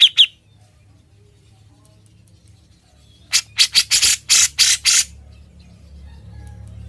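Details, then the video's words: Grey-cheeked bulbul (cucak jenggot) singing ngebren for use as a tutor recording: two short whistled notes, a long quiet gap, then a burst of about six loud harsh, broadband rasping notes. "Suara burung cucak jenggot, gacor & NGEBREN"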